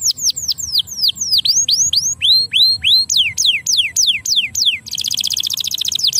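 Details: Song of a canary meant to encourage lazy canaries to sing: repeated falling whistled phrases, upturned notes in groups of three, closing with a dense high buzzy trill.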